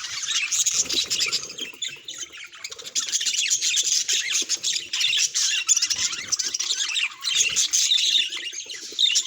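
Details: A budgerigar's vocalizing, presented as an emotional signal: a long, unbroken, rasping and twittering warble, dense and high, with a few soft low knocks underneath.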